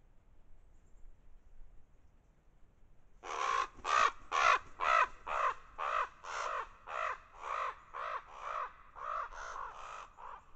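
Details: Ravens at a deer carcass keep a solo coyote away with noise and overhead flights, recorded by trail camera; after three seconds of quiet, a steady series of about twenty harsh, hoarse caws, roughly two per second.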